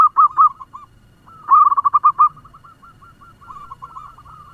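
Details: Fast-singing local zebra dove used as a lure: a few loud bubbly coos, a pause, then a quick run of repeated notes trailing into softer, spaced coos.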